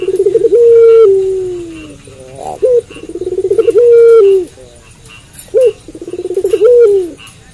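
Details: A puter pelung dove calls at night. It gives sustained mid-pitched coos that sag gently downward, each followed by a brief sharp note and a rapid rolling burble, in about three phrases.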